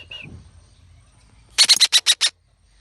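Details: Captive young red-breasted parakeet: one brief whistled note, a quiet pause, then a fast burst of six loud, harsh, buzzy squawks evenly spaced over under a second.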